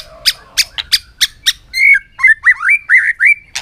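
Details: Contest-singing white-rumped shama in afternoon sun: a run of sharp clicking notes, then a fluty series of short looping whistles repeated rapidly, clear and loud.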